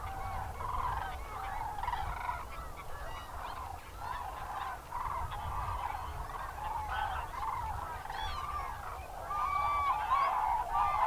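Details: Common cranes, about a thousand on a field at Trandansen, Sweden, with cranes and geese chasing each other and all birds on edge; a dense, overlapping chorus of loud trumpeting, rolling calls around a steady low rumble.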